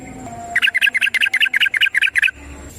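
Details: Yellow-vented bulbul, locally trucukan, singing a long rolling ropel phrase used as a lure to train other birds: a rapid run of about fourteen bright, chattering notes over under two seconds, set against faint background hum.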